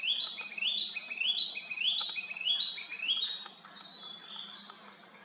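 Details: Song of a Narcissus flycatcher: a repeated two-step whistled phrase that jumps upward, given roughly every half second about six times. It ends with a few higher, sustained whistles over faint low background hum.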